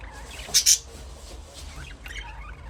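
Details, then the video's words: Two quick, high, bright chirps from a budgerigar close together near the start, then faint scratchy twitters fading into a low background hum. "Budgies parrot chirping sound"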